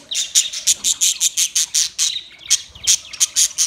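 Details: In a white and green parrot colony, one bird repeats sharp, very high, clipped shrieks at about four per second, with a short pause near the middle.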